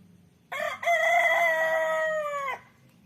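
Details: Rooster crowing: one loud sustained cock-a-doodle-doo lasting about two seconds, starting with a brief broken note, then a long steady harmonic-rich drawn-out tone that ends abruptly, over faint low background hum.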